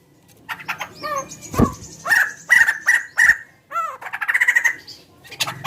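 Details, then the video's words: Large bird with chicken-like sounds: a jumble of sharp chirps, short harsh bursts and one arched nasal note, mixed with clicks and knocks. "Suara burung gacor paling membagongkan"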